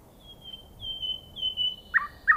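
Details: Singing common nightingale delivering long, thin, sustained high whistles that swell in pairs, then breaking into two short loud lower notes.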